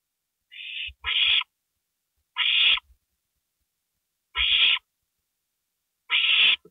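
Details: Owl nest at night, 2:05 AM, April 27, 2012, with a gopher brought as prey: a softer, thinner note, then four loud, raspy screeches spaced about 1.5 seconds apart, with faint low knocks between.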